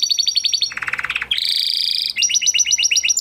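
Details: Huppe Spanish Timbrado canary from a 2020 breeding, living in a flock, delivers training song: a fast high trill, a lower throbbing roll, a bright buzzing tour, then crisp paired notes repeated rapidly.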